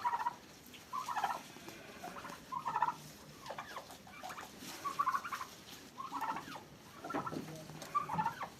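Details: Two turkeys fighting on a farm in Pakistan; repeated gobbling bursts of rattled, warbling notes arrive about once every second or two across the recording, with quieter gaps and light background noise.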